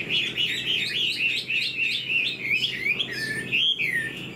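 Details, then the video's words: Caged Chinese Hwamei with fanned tail and fresh plumage, singing with tail flicks like a laughingthrush: loud, pulsing series of clear whistled notes, several per second, then longer swooping phrases. "Chim họa mi đuôi xòe, hót vẩy đuôi khướu cực đẹp, lông mới tinh"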